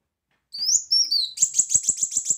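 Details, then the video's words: Brown-throated sunbird singing in a lively, loud 'tembakan' style: high thin upslurred whistles, then a fast run of sharp repeated chirps about seven per second, with faint low clicks beneath. "Kolibri Wulung Gacor Tembakan Keras"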